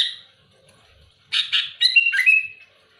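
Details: A loud, active sooty-headed bulbul pressing rival birds gives two rough, husky bursts, then a rapid run of bright liquid whistles that slide downward and trail off. Faint low hum in the background.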